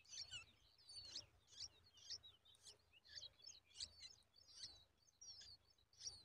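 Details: Bulbul chicks stretch toward their mother to take a spider from her beak. Thin, high chirps come in bursts about twice a second. They are faint over a quiet background.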